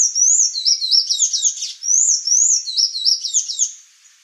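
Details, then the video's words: Sayaca tanager singing a fast, continuous run of high squeaky notes, slurred upward and downward in quick succession, a busy twittering phrase lasting about three and a half seconds before fading out. "Celestino Canto! Llamado! Sonido! Cantando! Llamando! - Sayaca Tanager Bird Song - Thraupis Sayaca"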